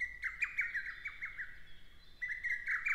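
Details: Lesser cuckoo singing in Shin'etsu satoyama, Japan, in early June: a loud, rapid run of sharp, clipped whistled notes, each dropping in pitch, over a faint high steady tone.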